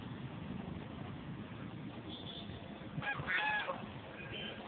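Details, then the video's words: Bar-headed goose in Jalpaiguri town, 2018, giving a brief burst of nasal honking calls late in the clip over steady low rumbling background noise. "BAR HEADED GOOSE BIG BIRD"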